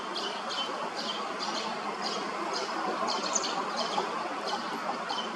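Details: Under a bridge in Hrodna, western Belarus, on 12 September 2025, a male common linnet still feeds his late brood of grown fledglings; brief high chirps sound irregularly through a steady noisy hum.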